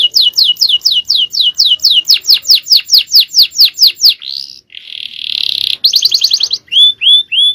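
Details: Caged male canary singing a long, fast Javanese-style champion song: a steady series of sharp rising chip notes about four per second, then a buzzy rattle, a rapid trill and clear upward whistles.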